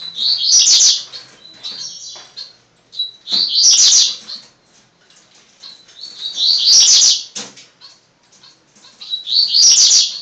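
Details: Male blue-black grassquit (tiziu) singing its 'tui tui' song while courting its female: loud, high, buzzy bursts, each a rising wheezy phrase, repeated about every three seconds with quiet gaps between.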